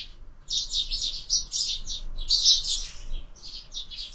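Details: Sparrows gather at a feeder on a window for breakfast; quick high chirps come in two dense bursts separated by a short lull.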